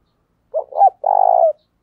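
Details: Lure call of a spotted dove meant to provoke wild birds. A short note and a rising note are followed by a long, rapidly pulsing coo that dips at the end, with no background noise.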